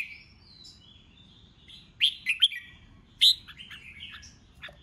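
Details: Red-whiskered bulbul stirred up for a singing contest, 'ché chét' voice: a thin drawn-out whistle, then loud clipped warbling notes in two bursts about a second apart.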